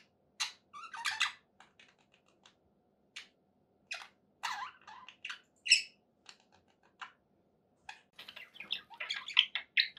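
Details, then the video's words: Pet budgies in a happy mood: scattered sharp clicks, brief chirps and single squeaky whistles with gaps between them, building into a short chattering burst at the end, over a faint indoor hum. "happy budgie sounds"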